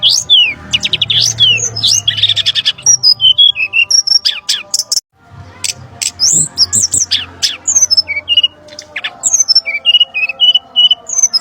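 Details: Brown-chested jungle flycatcher calls used as a trapping lure: busy, loud sequences of swooping whistles, rapid clicks and a buzzy burst, a short silent break, then more slurred whistles and sharp ticks over a low hum.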